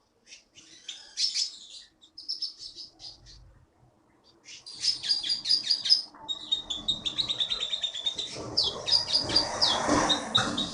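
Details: Champion Keety (konin) songbird caught in Bangka's forest, producing fast repeated rattling chirps at about two to three per second, growing denser and buzzier while background noise swells in the final seconds.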